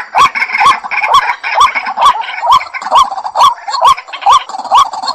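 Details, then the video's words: White-breasted Waterhen giving a loud, rhythmic run of gulping, croaking notes, about two each second in a steady repeated pattern, with nothing else prominent. "ডাহুক পাখির ডাক | Dahuk Pakhir Dak | Waterhen Sound | Jal Murgi Awaaz | Waterhen Call"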